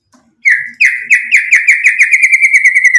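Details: White-rumped shama song used as a lure to provoke other shamas into singing: a fast, even series of bright chirped notes, about three per second, gradually quickening and running on steadily.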